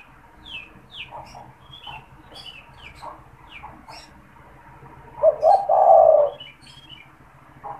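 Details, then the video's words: Spotted dove kept caged as a lure for wild doves; repeated thin, falling chirps from other birds fill most of the recording before one loud low coo phrase, two short notes and a long coo, near the end. "SUARA PANGGILAN DAN PANCINGAN TEKUKUR TERBARU | TEKUKUR GACOR BAGUS BUAT PIKAT"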